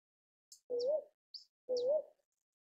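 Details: Northern boobook (Ninox japonica) giving two soft, low hooting notes about a second apart, each smooth and slightly rising, with faint high chirps just before each hoot.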